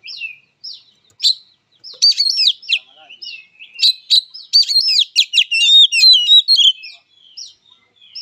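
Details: Fighting song of an oriental magpie-robin, a near-continuous run of sharp, scratchy clicks and bright, twisting whistled phrases, densest in the middle and tailing off into softer notes.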